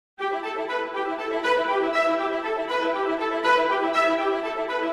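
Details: Steady brass and string music plays throughout, with no animal voice heard.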